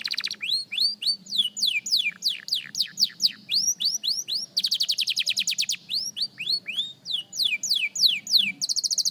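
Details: Young canary practising its song delivers rapid sequences of falling whistled slurs interleaved with fast buzzy trills, phrases shifting every couple of seconds, a soft low hum underneath.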